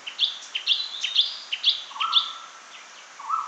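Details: Rapid high rising notes repeated several times a second, chestnut-fronted shrike-babbler, mixed with fainter chips and two lower flat whistles near the end.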